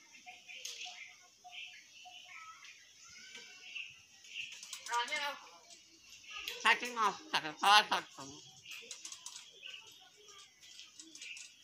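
A common hill myna mimics human speech in short bursts of word-like phrases, with a steady high hiss and faint background clicks throughout.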